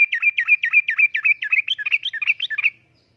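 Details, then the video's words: Sooty-headed bulbul giving a steady uplik-uplik phrase, a tutoring and lure recording for caged birds. Nearly three seconds of about twelve quick, looping, liquid notes repeated in an even rhythm. "Kicauan Suara Burung Trucukan Gacor Uplik Uplik,Pancingan Trucukan Gacor,Masteran Trucukan"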